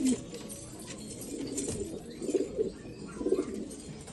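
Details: Black Afghan pigeons in Afghanistan; a few soft, low cooing notes rise briefly above a quiet, hissy background, with faint thin chirps from other birds.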